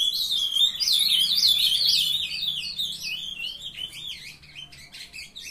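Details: Several young ultramarine grosbeaks kept in captivity sing a loud, tumbling warble of quick slurred notes for the first seconds, then trail off into scattered softer chips and twitters.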